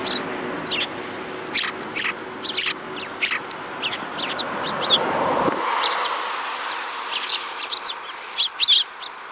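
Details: Several lively sparrows trading sharp, high chirps in uneven bursts, some in rapid pairs, over a constant low background hum that cuts out partway through.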